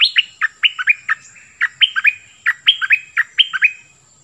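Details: Singing Oriental magpie-robin, its clear song said to hold many phrases: loud, evenly spaced whistled notes switching between higher and lower pitches, delivered in a lively, continuous run against a quiet background.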